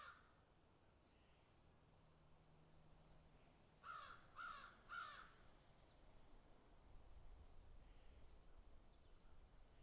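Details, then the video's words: Crows picking and eating; a run of three rough caws mid-recording, with soft regular clicking and ticking throughout and low background rumble. "Crows Picking and Eating - Sound Effect"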